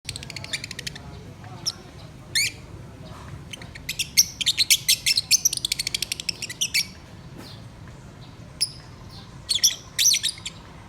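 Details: Pet lovebirds singing: bursts of sharp, high chirps and rapid chattering trills in clusters, with quieter gaps between and a faint low background hum.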